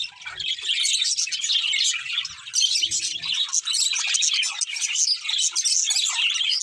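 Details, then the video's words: Chorus of pet budgerigars chirping, starting softer and swelling into a constant, jumbled wash of high-pitched tweets and warbling. "Cute Budgies Chirping Sounds"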